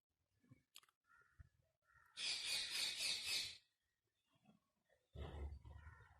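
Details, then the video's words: Ringneck parakeet letting out a loud, rasping, buzzy screech lasting over a second, with softer clicks and chatter before it and another harsh burst at the end. "Ringneck Talking Parrot"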